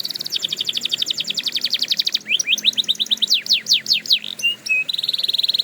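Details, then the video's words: Canary song for training canaries: quick repeated descending chips form a fast trill, then broader rising and falling swoops, two short level whistles and a closing high buzzy tone. "Canary Owners Love This Trick – Endless Singing Guaranteed!"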